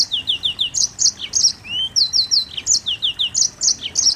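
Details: Mozambique canary singing a dense, continuous song: rapid high chirps and short descending whistled notes repeated in quick series, with a brief rising slurred whistle midway; clean background.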